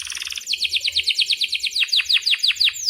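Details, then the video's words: Energetic canary in breeding condition singing a long rolling song used as a master for young canaries: a steady series of sharp down-slurred notes, about seven per second, high and bright, ending in a rising whistle. "Kenari GACOR PANJANG"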